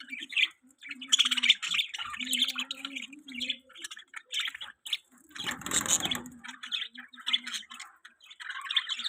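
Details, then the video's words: Budgies in a steady stream of high, chattering chirps and squawky twitters, short notes packed closely together, interrupted midway by a brief loud rustling burst. "Budgie chirping sounds"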